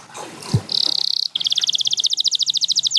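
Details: Canary song from a champion bird, such as Gloster or Spanish Timbrado: a faint thump and soft noise open it, then a steady buzzy trill and a long, quick, rolled series of repeated bright notes.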